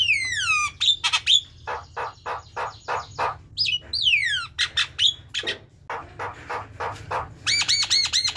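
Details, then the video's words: Javan myna chattering song, used as a lure for mynas that sing little: a jumble of high descending whistles, harsh rasping notes and rapid clicking bursts, varied and irregular, with a low steady hum beneath. "Jalak kebo ngoceh"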